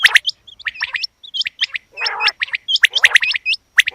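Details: Rapid female quail chirps and hooked whistles tumble in short clusters, with a rougher nasal note near the middle and another toward the end.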